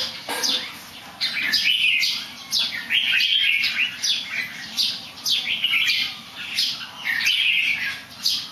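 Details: Singing bird that also somersaults a little: loud, clear warbled phrases in short bursts separated by brief pauses, each phrase with quick rising and falling whistles; faint low background hum throughout.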